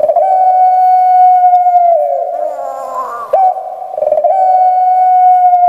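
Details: Pet puter pelung Barbary dove from Java, with big posture and a small, high-pitched voice. Two long, steady, clear coo notes are separated by a gravelly, rolling burst of sound.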